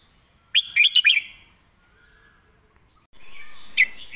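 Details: Red-whiskered bulbul giving a distinct master-song phrase: a lively run of about four bright, bouncy whistled notes, then near silence, and then a faint hiss with one sharp chip.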